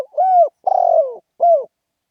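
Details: Spotted dove giving a lively crowing call in the style known locally as khan yon: three mellow, hoarse coos, the middle one longer and slurring downward, each separated by short pauses.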